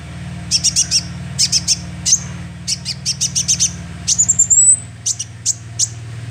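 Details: Young sunbird calling, used as a lure: bursts of short, very high chirps in quick clusters, then a thin rising whistled trill, then more spaced chirps, over a steady low hum.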